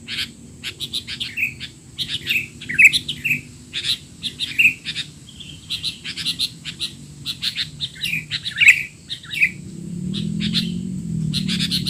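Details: Busy stream of chirps and short slurred squeaks from a sooty-headed bulbul in noisy 'teler' style, a training sound for young birds, with a constant high tone and a low rumble swelling in the last seconds.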